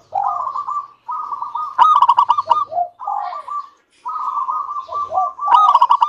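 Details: Lively local zebra dove whose song serves to set other doves singing: repeated phrases of soft coos building into loud, fast rattling trills, three bursts in quick succession.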